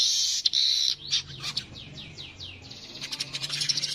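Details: Streaked weaver opening with a harsh sizzling buzz, then a regular series of quick downward-sweeping notes about four per second, ending in scratchy high chatter.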